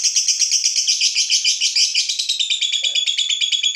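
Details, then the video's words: Provoked fighter lovebird in a long ngekek: harsh, rapid, rattling pulses, turning into a clearer ringing trill toward the end. "Lovebird FIGHTER terpancing Panas, nyaut Ngetik lanjut Ngekek Panjang"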